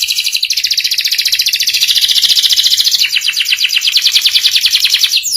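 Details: Canary rolling through a sustained, rapid buzzy trill with a pulsing rhythm, a master song meant to teach young canaries the ngeriwik sound.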